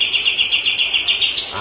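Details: White-rumped shama (murai batu) song used as a training recording for other birds: a rapid, steady series of short high chirps repeated about seven times a second, ending in a brief rising note.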